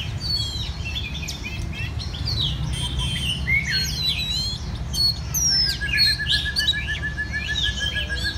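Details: Singing contest of red-whiskered bulbuls in central Vietnam, many birds trading quick whistled, warbling notes and sharp chirps, one long even trill near the end, over constant low-pitched background hum.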